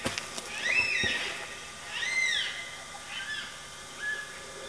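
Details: Wild yellow-tailed black cockatoos in Blue Mountains National Park near Glenbrook, New South Wales, giving drawn-out wailing calls that rise and fall, repeated several times with gaps, amid faint rustling and background hiss.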